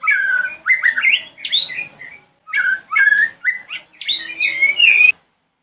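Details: Morning song of a White-rumped shama, played as a lure to make other shamas reply: four loud bursts of fast, jumping whistled notes mixed with sharp chips, separated by short pauses.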